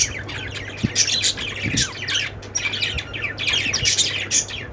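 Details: Many budgies chatter together in continuous bright, scratchy chirps and short squawks that rise and fall in loudness, with a low background hum throughout.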